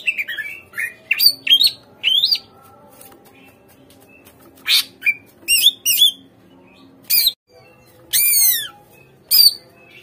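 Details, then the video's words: Greater green leafbird song for luring captive birds to sing: scattered clusters of harsh chattering notes and sweeping whistles, including a long falling slur near the end. "PANCINGAN SUARA CUCAK IJO | AGAR CUCAK IJO BAHAN MAU NGERESPON DAN GACOR"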